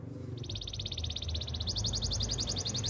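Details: Canary song used for training: a fast, even high trill enters after a moment and continues, partly masked by a steady low rumble.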